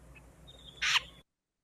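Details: Wilson's Snipe gives a single harsh, rasping "scaipe" flush call when flushed: an abrupt note about a fifth of a second long over a faint, thin high tone.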